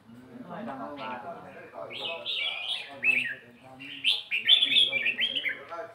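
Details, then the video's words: Red-whiskered bulbul in nap dok (counted-phrase) singing: after a murmur of low harmonic background sound, a run of loud, clear, chirpy whistled phrases rises and repeats rapidly over the last four seconds. "เสียงนกกรงหัวจุก นกกรงหัวจุกนับดอก"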